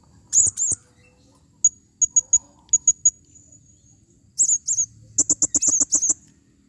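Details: Female blue-crowned hanging parrot calling: shrill high squeaks, evenly spaced triplets of piercing pure notes, then a fast loud rattle of about a dozen clicky notes.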